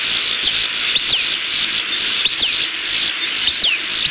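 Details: Wild bald eagles on a nest camera in southwest Florida, December 14, 2015, late afternoon, calling out at an intruder nearby. Thin, high, down-slurred whistled notes come in short bursts over a steady hissing background.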